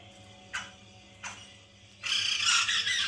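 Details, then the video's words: White-crested laughingthrush lure for captive birds: two brief sharp chips, then a sudden second-long burst of harsh, dense cackling chatter, with a faint steady hum underneath. "pancingan Poksay mantel agar bunyi"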